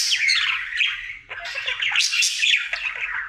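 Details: Indoor male budgerigar in its daily song, a dense, fast twittering of chirps and scratchy buzzes, running on without a break and rising to a louder, brighter passage toward the end.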